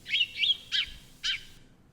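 House sparrow giving four quick chirps in under two seconds, the first two close together and the last two more spaced, with faint low background rumble.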